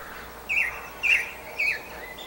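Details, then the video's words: At Campbeltown in April 2012 a song thrush sings a short whistled motif three times over, each burst separated by about half a second of near silence. "Song Thrush Singing, Campbeltown, April 2012"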